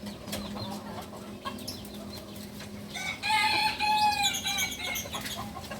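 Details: Balenggek chicken, a novice crower of the native breed from Solok, West Sumatra, gives a long stepped crow in the second half: several ringing, tonal segments in a row. Before it comes noisy background with clicks and a low steady hum.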